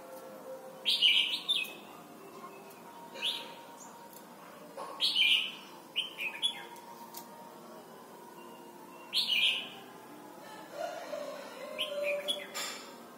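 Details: Red-whiskered bulbul, Thailand, in a recording for training young birds to sing: loud, cheery whistled phrases of a few quick notes, repeated every two to four seconds against a faint hum.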